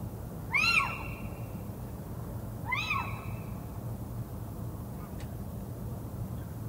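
Little owl gives two loud, mewing 'kiew' calls that rise then drop, about two seconds apart, over a steady low rumble and a single faint click.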